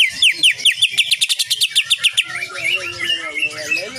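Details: Greater green leafbird singing hard on a training recording for cage birds, full of nyengklir 'shooting' phrases: quick downward whistled slurs becoming a dense, rapid rattle of high chips, then a wandering, twittering warble.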